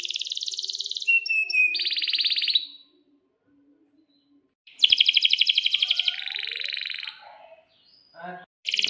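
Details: A canary in breeding condition sings long rolls, used to coax silent canaries into song. Brisk trills and a buzzy tour stop for two seconds, then a loud pulsing trill returns, followed by lower chattering notes.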